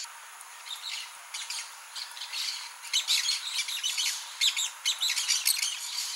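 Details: Blaze-winged parakeet (Pyrrhura devillei) giving rapid, harsh, high-pitched chattering notes that build into dense clusters in the second half, spaced irregularly.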